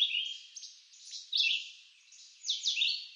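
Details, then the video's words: Red-eyed vireo singing in woods of eastern North America: three short, slurred whistled phrases, each a quick downward or upward sweep, separated by brief pauses. "Red-eyed Vireo Bird Song"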